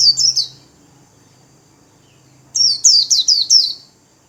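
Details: Pet Japanese white-eye in líu song, wings fanned: a short pair of shrill falling notes, a pause of about two seconds, then four or five fast, piercing downward-sweeping chirps.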